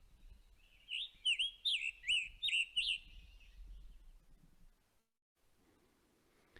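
Scarlet Tanager singing a quick run of about seven burry, hoarse phrases, like a robin with a sore throat, then quiet background.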